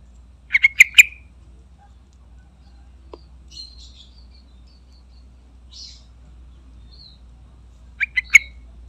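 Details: Calling yellow-vented bulbul (trucukan), a lure recording meant to make other bulbuls answer: a quick burst of three or four sharp chirps, a long near-silent gap with faint high notes, then another rapid cluster of three chirps.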